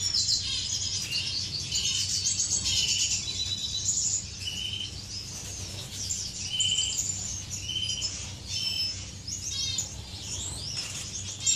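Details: Finches in an aviary during courtship, 10 May 2015: continuous high twittering from many birds, punctuated by repeated short buzzy trills and sharp chirps, with low background hum throughout.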